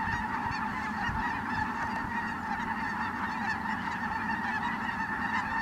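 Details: Ross's geese flying in at Merced National Wildlife Refuge, 22 December 2017: a large flock gives a dense, unbroken chorus of high, nasal honks that overlap continuously with no pauses.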